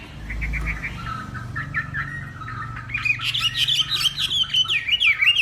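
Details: Hwamei of northwest Vietnam in a morning singing contest: quieter scattered chirps over low background rumble, then a loud burst of fast, high, tumbling whistles in the second half.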